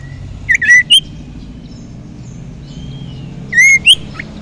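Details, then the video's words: Common iora, young and wild, sung as a lure: clear whistled phrases of looping, rising notes, given twice about three seconds apart, with a soft low hum behind. "cipoh sirtu muda hutan pancingan sirtu sirpu cipoh ampuh"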